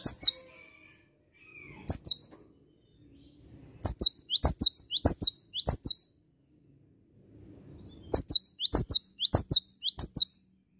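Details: Cinereous tit singing in the morning: bursts of high, hooked whistled notes, repeated in quick runs of two to four phrases with short pauses between, over a faint low background.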